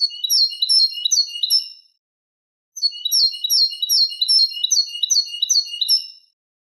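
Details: Eurasian goldfinch singing a Málaga copla tutor song meant to teach young goldfinches and hybrids: two long bursts of rapid, liquid, high twittering notes with a pause between them, and no other sounds.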